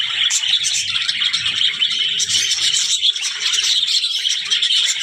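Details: Budgerigars keep up a lively warbling chatter of rapid squeaky notes and chirps, several voices overlapping throughout.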